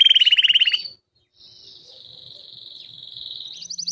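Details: Belgian king canary singing: a brief rapid trill, a short pause, then a thin sustained high buzzing tone that slowly swells. The clip ends with a renewed burst of quick pulsed notes.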